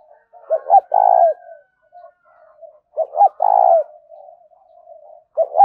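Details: Spotted dove cooing as a lure to draw wild doves in: a short stuttered double note, then a long throbbing coo, repeated about every three seconds, with soft low murmurs between phrases.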